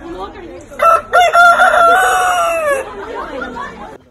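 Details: A rooster crows loudly over background murmuring: two quick clipped opening notes, then a long, slightly falling drawn-out note of about two seconds, trailing into softer low sounds and chatter.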